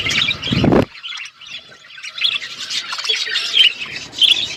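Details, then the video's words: Budgerigars kept as pets on a winter morning: a loud burst with a thump, a short quiet gap, then scattered high chirps and warbled chatter building again. "Budgies enjoying winter morning birds chirping sounds"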